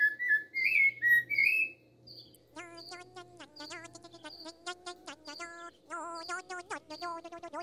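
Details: A rufous-bellied thrush sings a few clear, fluting whistled phrases, rising and falling, accompanied in the background by a cricket's rapid buzzy, rattling pulsed series and high insect-like chirps.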